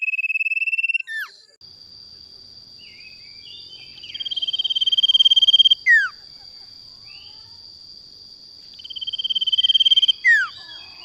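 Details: Male sirtu, a popular cage bird in Indonesia, in a lure recording: rapid pulsed trills at a steady high pitch, each ending in a sharp downward-sweeping note. Trills repeat about every four to five seconds. A constant thin high tone continues underneath.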